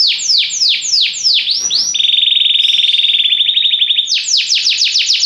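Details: Belgian canary song: sweeping down-slurred notes, then a steady buzzy rolling trill at lower pitch, then quick bright notes resuming.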